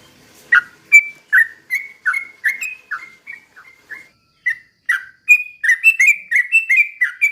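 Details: Sooty-headed bulbul pouring out a 'ropel pelan' slow rapid song, meant to provoke other birds: long series of liquid whistled notes, softening midway, brief pause, then a faster, denser burst.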